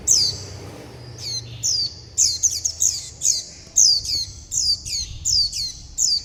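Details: Hungry young warbling white-eyes calling mother and flock: a dense, excited series of about fifteen high, sharply falling squeaks, often doubled, with barely a pause.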